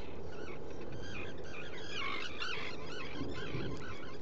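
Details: Black guillemot in a burrow at Seal Island NWR, Maine, captured by burrow camera on 29 June 2018, mid-afternoon; a busy run of wavering whistled notes, thickest in the middle, above heavy steady background hiss.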